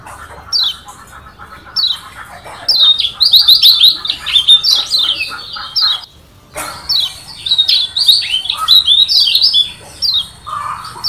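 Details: Kecial kuning, the Lombok yellow white-eye, starts with scattered high chirps and builds into long runs of rapid, sharply slurred twittering notes. A short pause falls between the two bursts of song.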